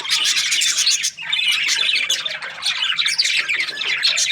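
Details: Budgerigars, Australian parrots, chirping in a dense, continuous chorus of overlapping squawks, chatter and short warbled notes from several birds at once, with no pauses across the whole stretch.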